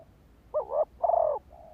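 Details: Lure call of a spotted dove meant to stimulate males: one low phrase of a short wavering double note, a brief pause, then a longer pulsing coo that drops slightly at the end.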